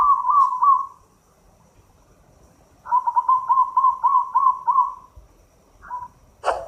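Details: Energetic song of a local zebra dove from Indonesia, meant to encourage lazy-singing birds: one rolling coo phrase ends, silence follows, then a longer run of seven or eight quick bubbling notes and a brief extra phrase.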